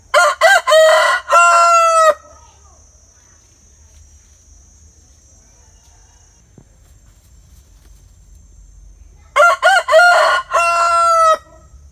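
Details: Rooster crowing twice, each loud harmonic-rich crow lasting about two seconds with choppy opening notes and a long held ending, separated by a quiet gap of roughly seven seconds with a faint steady high tone.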